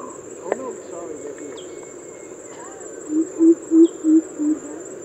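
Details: Greater coucal (crow pheasant) giving its familiar coop-coop call, a run of five deep, hollow booming notes about three per second, over a steady high insect whine and faint chirps.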